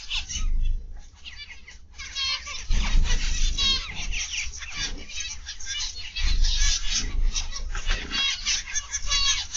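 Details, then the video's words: Many zebra finches in an aviary, PM of 31 August 2021: loud overlapping nasal honking beeps in quick irregular series, a brief gap near the start, low mechanical hum throughout. "Zebra Finch Aviary Live"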